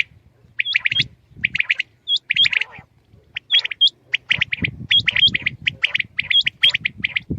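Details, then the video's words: Common quail in the morning giving quick triplets of sharp notes, bursts spaced roughly every second with brief pauses, occasional hooked notes mixed in, and low rumbling noise underneath. "Aj suba Batair Ki Awaz ki Recoding| Khali Batair ki Batair ki Awaz| Quail sounds|lCommon Quail 2020|"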